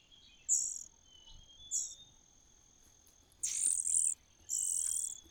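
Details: Common cuckoo nestling begging in its host's nest: two brief high squeaks, a pause, then two longer loud rasping hisses.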